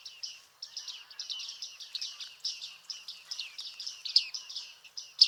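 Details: Bearded reedlings (Panurus biarmicus) at Liepāja, Latvia, in July 2023 give a busy stream of short, high, twangy notes, several birds overlapping in quick chattering bursts with no pauses.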